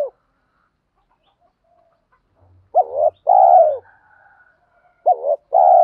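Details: Repeated spotted dove cooing, played to stimulate newly caught birds in training. The end of one phrase is followed by two full phrases, each a short hooked note and a long hollow coo. Faint low thumps are heard in between.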